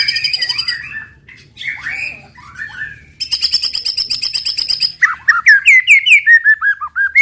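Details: Provocative 'tembakan' song of a white-rumped shama, meant to trigger other birds: buzzy rattling trills alternate with slurred whistles, ending in a quick series of rising and falling whistled notes.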